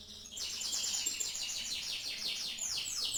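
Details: Canary in song, compared to a legendary champion, producing a continuous bright buzzy trill of fast repeated notes that ends in quick descending sweeps.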